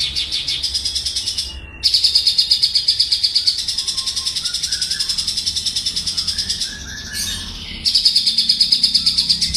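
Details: Javan bush lark, praised as a special, energetic singer: long bursts of high, rapidly pulsing buzzy trill, broken by brief pauses and a few softer whistled notes.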